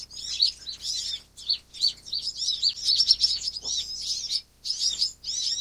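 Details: Van Hasselt's sunbird producing a near-continuous stream of high, sharp, twittering notes in clustered bursts, broken by brief gaps around the middle and end.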